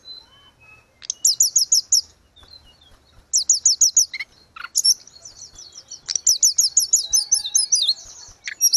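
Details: Grey-cheeked bulbul singing vigorously, in a recording meant for tutoring and reviving cage birds: bursts of rapid high chirp series alternate with quieter gaps, with a couple of short lower notes between phrases.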